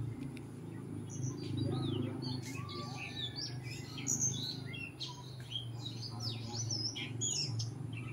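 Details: Oriental magpie-robin, an escaped bird singing in the wild beside a house: a rich run of varied whistled notes, slurred upward and downward, sharp chips in quick succession, over a steady low hum.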